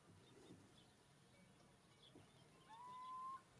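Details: Little owl at Castelo Branco giving one clear, plaintive whistled call near the end, rising gently in pitch and held for under a second, over a quiet background with faint low rumble.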